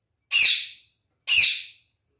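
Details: Two loud, raspy squawks from a caged male kakariki parakeet living with his mate, spaced about a second apart and each fading quickly.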